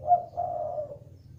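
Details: Spotted dove call, used as a lure to prompt other doves to call: a short low coo followed by a longer, level, mellow coo that fades downward, in a quiet setting.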